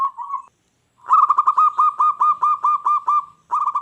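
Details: Local zebra dove song meant to trigger wild doves to answer angrily: a short coo, a pause, then a loud rapid series of clipped, bubbling notes, about four per second.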